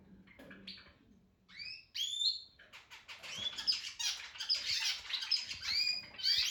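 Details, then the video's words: Male Harz canary practising its song: scattered rising whistled notes at first, then a denser run of high trills and warbles in the second half, with faint background noise. "Harz canary working on his voice"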